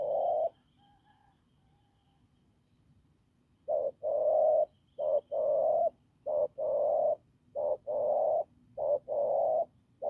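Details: A single husky coo, then about three seconds of near-silence, before a wild field spotted dove resumes hoarse, strong cooing in short-long couplets at a steady pace.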